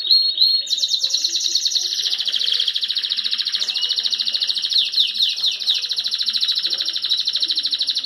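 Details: Male red mosaic canary, eight to nine months old, one of two in full song and ready to breed, delivering a sustained, very rapid high trill with a few brief swoops, running almost without pause.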